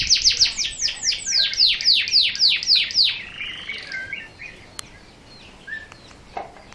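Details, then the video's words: Local canary delivering a fast run of high descending whistled sweeps, about three to four a second, fading into soft twitters with a few faint clicks. "Suara kenari lokal 44 detik 2kali tembakan."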